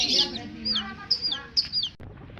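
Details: Baby chicks of a domestic hen chirping: several high, thin notes that slide sharply downward, coming in quick bursts about every half second, with people talking underneath.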